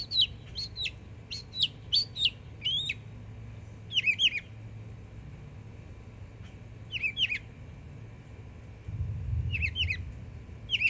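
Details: Young Northern mockingbird in Florida: sharp doubled chirps in quick succession, then spaced single phrases with pauses between, faint low rumble later.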